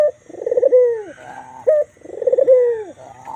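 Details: Cooing of a white, black-collared Barbary dove: a brief clear opening note, then a drawn-out, pulsing coo falling in pitch, heard twice with little background noise.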